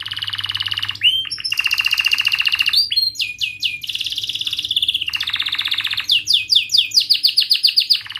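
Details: Canary song used as a lure for young canaries learning to sing: long buzzy rolling trills broken by quick rising slurs, then runs of rapid descending chirps, loud and nearly unbroken above a faint hum.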